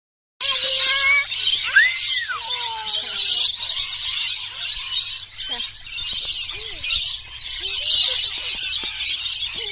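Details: Over 100 rainbow-coloured lorikeets gather at a daily bird feeding at a holiday park on Burrill Lake, Ulladulla, New South Wales south coast; the flock fills the air with dense, continuous shrill screeching and chattering, with a few lower whistled sweeps near the start.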